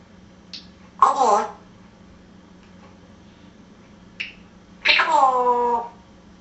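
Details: A talking African grey parrot with a Geordie accent, kept indoors on holiday away from its owner, gives short clicks and two voice-like phrases rich in tones, the second a longer wavering call.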